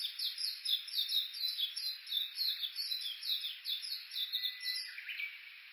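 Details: Japanese bush warblers along Uguisu Road by Mt. Yakushi, Kuga, Suo-Oshima, Japan, recorded with an Olympus Voice-Trek V-82: steady rapid high notes repeated about twice per second throughout, slowly fading toward the end.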